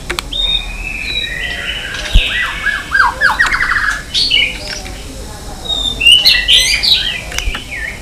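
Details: White-rumped shama singing in many voices while stirred to fight: fluting whistles and a run of descending slurred notes over steady background hiss, with a later burst of high chattering phrases.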